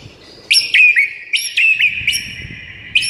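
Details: White-rumped shama morning master song for provoking silent birds: a ringing held whistle punctuated about every half second to second by loud, sharp rising flicks, with faint low noise beneath.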